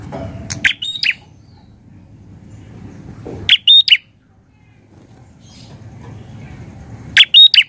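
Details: A prinia in a garden gives three short bursts of sharp, high chirps, two or three notes each, about every three seconds over a low background rumble.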